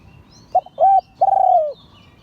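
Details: Liu Tan style crowing from a spotted dove of an auspicious line. It gives one clear phrase: a clipped coo, a rounded held note, then a long quavering coo that sinks slightly as it fades. Quiet, thin bird chirps come in the background.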